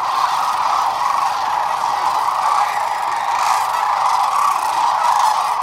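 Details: Huge gathering of sandhill cranes, some 12,000 birds, at Whitewater Draw on February 19, 2021, producing a constant wall of overlapping rattling, bugling calls that swells slightly near the middle and end.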